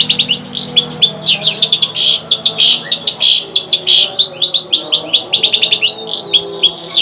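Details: Long-tailed shrike delivering a loud, fast series of bright chirps and slurred whistles, bunched into quick bursts with short pauses, the pace quickening toward the end; faint low hum behind.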